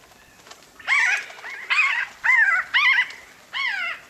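Pinyon Jay giving five nasal, mewing calls, each gently arched and about a third of a second long, spaced roughly every half to one second.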